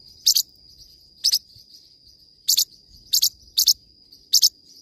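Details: Forpus parrotlet produces six loud, sharp doubled chirps, high-pitched and buzzy-edged, spaced unevenly across a few seconds over a steady thin whine.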